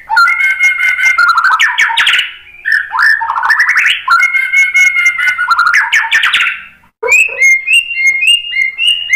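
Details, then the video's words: Near-continuous White-rumped shama song used as a lure: dense rattling trills and rising slurred whistles, a short break, then a run of clear, high, evenly repeated whistled notes. "OCEHAN MURAI BATU"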